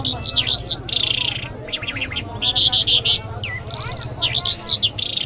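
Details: Iranian lark of the Mashhadi type delivering varied song: arched whistled notes, buzzy bursts and quick descending slurs alternating in short phrases over a constant low background hum.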